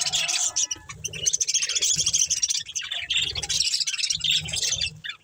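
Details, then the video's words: Budgies from a breeding pair chattering continuously, a rapid stream of high twittering and buzzy warble notes with a few lower tonal notes at the start. "Beautiful Budgies Chirping Sounds"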